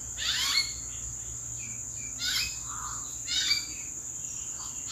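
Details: Common hill myna in April, calling from the treetops. Harsh squawking calls with falling whistles come about once a second, mixed with brief mellow notes, over a constant high-pitched insect buzz.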